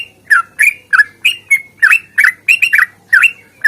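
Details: Rapid fighting song of a sooty-headed bulbul, long rolling style meant to make silent birds sing: steady stream of loud, throaty, down-slurred chirps, around three per second, with a few doubled notes.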